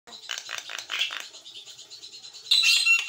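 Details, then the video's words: Javan myna, white-eyed, singing actively (gacor) in a master recording for training: a run of rapid harsh buzzy chattering notes, then a louder grating burst with a thin whistled tone near the end. "JALAK KEBO MATA PUTIH GACOR"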